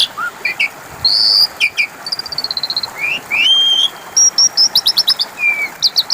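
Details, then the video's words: Asian pied starling song played as a lure for other birds to answer: loud mix of bright whistles, fast rattling note trains and sliding rising notes, delivered in quick bursts with short pauses. "Pancingan suara burung jalak suren macet bunyi 🐦 5 Menit Langsung nyautt!!"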